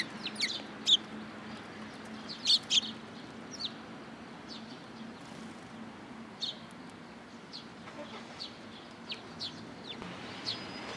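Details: Sparrows coming for food at a Tenmangu shrine in Japan, October 2022: short sharp high chirps scattered irregularly, a few louder ones clustered near the start, over a steady low traffic hum.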